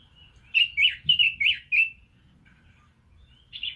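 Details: Red-billed leiothrix sings a phrase of five rich, slurred whistles in about a second and a half, with a short buzzy note closing after a pause; faint low background hum.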